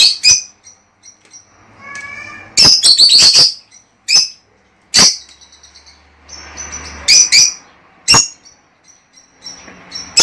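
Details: Lovebirds calling to stimulate mating in a breeding pair: irregular sharp high squeaks and a dense burst of shrill chattering, interspersed with soft twitters and quiet rustling.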